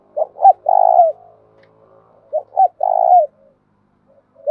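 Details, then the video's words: Spotted dove giving a calling coo, used to lure wild doves quickly and provoke fighting; two quick short coos then a long rolling coo falling at the end, heard twice. "cu gay kich boi nhanh noi gù chuẩn gáy gọi+ Thúc Đấu , tiếng gáy hợp bổi giọng đồng gáy gọi"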